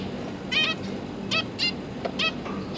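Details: Zebra finch pair busy feeding their three newly fledged juveniles, 31 October 2022; a handful of short nasal beeps with rich harmonics, spaced about a second apart, over a steady low hum.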